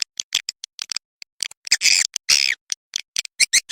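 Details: Swiftlet lure sound, Ratu Birahi style, meant to attract swiftlets: irregular sharp high chips and clicks, broken by two longer, loud, rasping buzzes in the middle.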